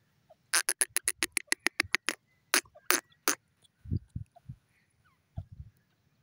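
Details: A grey francolin gives a fast run of about a dozen harsh, scratchy notes, then a few louder separate ones. Dull low thumps follow.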